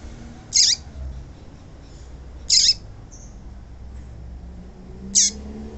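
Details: Female yellow-bellied seedeater (papa-capim) calling to stimulate males to sing: three short, harsh, high chips with a faint lower descending tail, spaced about two seconds apart over a quiet background.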